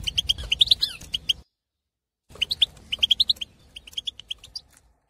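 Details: European goldfinch male, wild Algerian, breeding condition, in an aviary, its song used to excite other goldfinches: quick twittering phrases of ringing high notes and trills, a pause, then a further twittering run.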